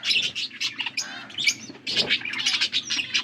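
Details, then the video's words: Blue budgerigars feeding each other, recorded August 13, 2024: dense bursts of bright, scratchy chirps and warbles, rapid and overlapping, with brief pauses and a low steady hum underneath. "Beautiful blue budgies 💙 feeding to each other birds chirping sounds"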